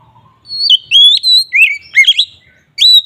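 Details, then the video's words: Ngeplong-style Oriental magpie-robin song used as a lure for magpie-robins, a short run of clear, ringing whistles, some long and level, others swooping steeply down then up, with a faint low murmur beforehand. "suara BURUNG KACER NGEPLONG sangat ampuh untuk pancingan kacer"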